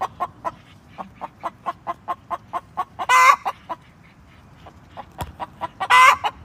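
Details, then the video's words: Domestic hen clucking: a steady run of short, low, evenly spaced clucks, broken twice by a louder, harsh, drawn-out squawking call, with a quiet background. "Chicken sounds, hen clucking"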